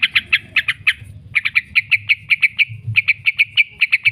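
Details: Yellow-vented bulbul lure recording for training caged birds, giving its long 'ngekek' chatter: a quick series of sharp high notes, a brief pause, then a steady run of clipped chips at roughly ninety per minute.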